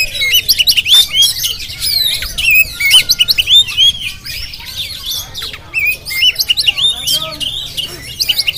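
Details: Caged Oriental magpie-robin of the Jampang type, filmed on a GoPro, singing a loud, varied run of sweet whistles, rising and falling slurs and scratchy chatter, delivered in quick dense bursts with brief pauses.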